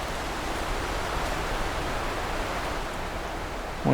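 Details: A steady rush of flowing water, like a stream or waterfall, fills the recording, with a brief knock at the very end.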